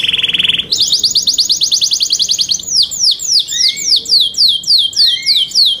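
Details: Caged Yorkshire canary singing in competition style: a fast buzzy trill, then a rapid high rattle, then a run of loud descending whistled sweeps, repeated about three times a second.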